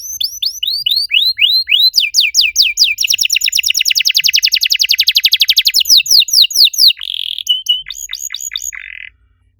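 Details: Master canary song used to get other canaries singing again; sweeping chirps speed up into a long rapid trill of downslurred notes, then a brief buzzy roll and a few final sweeps.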